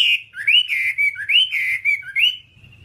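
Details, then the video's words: Whambie song in a long training recording for caged birds: clear, fluting whistled phrases that rise and then settle into a level tone, repeated three times before fading out. "Masteran Whambie nonstop 1 jam"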